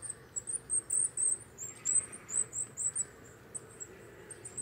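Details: Coal tit (Periparus ater) singing: a run of thin, very high, sharp notes, loosely repeated about four times a second, with short gaps and a low background hum.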